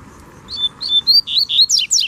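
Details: Wild double-collared seedeater singing in the bush to defend its territory: a clear, loud series of about seven high whistled notes, steady at first, then faster and sharply down-slurred at the end.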